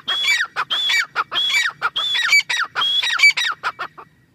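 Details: A grey francolin in its breeding season, near the last month of it, gives a loud, ringing call. The phrase repeats about every two-thirds of a second: a high drawn whistle dropping into sharp descending notes, several times over.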